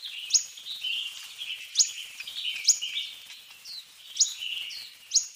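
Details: Fork-tailed sunbird song of sharp, very high upslurred notes repeated about once a second, with lower twittering chatter filling the gaps between them.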